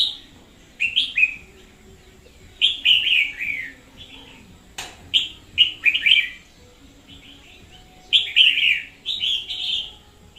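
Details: Red-whiskered bulbul decoy bird singing intensely, 2021: rapid runs of liquid, warbled, slurred notes in clusters of three to five, nearly continuous, broken by a single sharp click midway.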